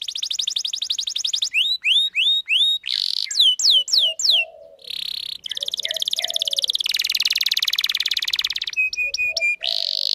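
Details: Canary song to lure males and teach young birds: fast trill, spaced upward-slurred whistles, harsh buzzy bursts, a dense rattling trill and short flat tones in a varied sequence.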